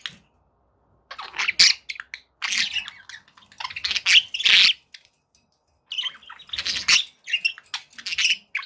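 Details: Several pet budgies calling together indoors: dense runs of harsh chirps, squawks and scratchy warbles in long bursts, with a pause near the middle before the chatter resumes.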